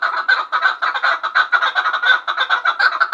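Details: Dense, loud chuk-chuk-chuk clucking from a chukar partridge at Gharm, notes packed several per second throughout, with a harsh ringing tone.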